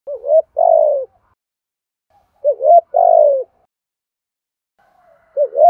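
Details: Spotted dove cooing, used to stir caged birds into contest cooing: three low, mellow phrases, each a short rising note then a longer slurred falling coo, separated by silent gaps of about two seconds.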